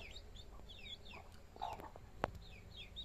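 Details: Hen with her chicks: soft, high chick peeps scattered through the clip, one short low cluck midway, and a sharp click, all against a quiet background hum.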